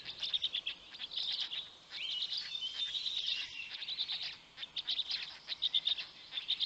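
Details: Black stork nestlings in Noteć Forest, Poland, fed by a parent on the morning of 19 May 2020, the smallest chick getting nothing; clipped squeaks, a drawn-out thin whine midway, then quick repeated chirps.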